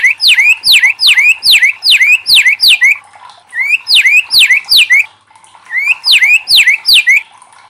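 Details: White-rumped shama lure sound: rapid bursts of loud rising-then-falling swept notes, several per second, delivered in three runs separated by brief pauses.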